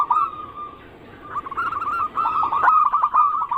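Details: Zebra dove anggungan cooing, used to lure other birds: a soft opening coo, a brief lull, then a long run of rapid, bubbling coos that grows louder to the end.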